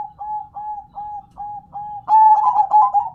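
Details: Zebra dove of local stock singing: a string of soft, short, evenly spaced coos, then a sudden loud bubbling, stuttered phrase closing the sequence.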